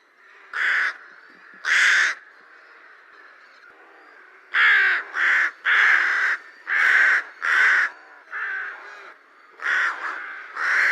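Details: Rook repeatedly cawing: about ten harsh, hoarse caws in uneven bursts, some in quick pairs, separated by short quiet gaps.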